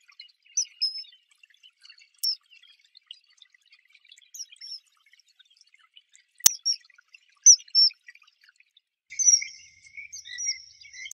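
A common kingfisher gives thin, shrill, high whistled notes, single or in quick pairs, ending in a longer run of piping notes. A few sharp clicks are also heard.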